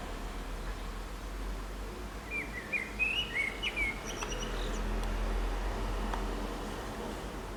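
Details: Common blackbird (Turdus merula) singing from an antenna in the town centre of San Martín, Zamudio, Bizkaia, on 23 April 2019: one mellow, fluted warbling phrase ending in a thin, high twitter, over a steady low background rumble.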